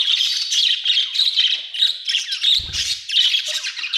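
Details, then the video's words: Steady, loud budgie warbling throughout, a rapid chatter of buzzy chirps rising and falling, with one brief low rumble midway. "budgie chirping sound"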